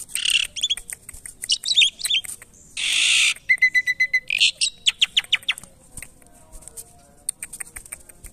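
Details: Asian pied starling being tamed in captivity, uttering harsh grating squawks and a long rasping burst, then a fast series of sharp chattering clicks that slows and fades toward the end.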